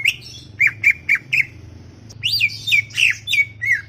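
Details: Very chatty greater green leafbird giving harsh, squawky slurred notes, first spaced singly, then in a denser run of buzzy upswept and downswept phrases, over a low hum in a garden.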